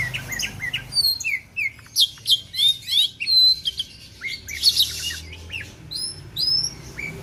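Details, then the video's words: Oriental magpie-robin from Aceh, Indonesia, singing separated phrases of sweet slurred whistles, sharp rising notes and a brief harsh buzzy burst, then further clear upslurred whistles, with gentle low background rumble. "kicauan Kacer"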